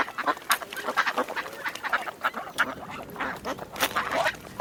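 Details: Ducks calling together in a dense chorus of short, rasping quacks, sharp louder bursts scattered through a continuous babble.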